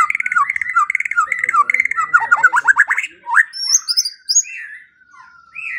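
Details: Training song of the white-rumped shama, used morning and evening to get silent birds singing: rapidly repeated chattering phrases, a quick descending run, then thin high whistles and a fading slurred note.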